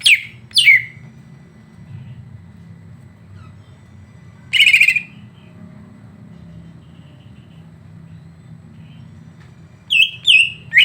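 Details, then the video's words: Greater green leafbird singing to provoke an emotional response in another leafbird: two sharp downslurred whistles, a long quiet gap, a buzzy trilled burst, then a cluster of quick looping whistles at the end. "Masteran untuk cucak ijo biar terpancing emosi"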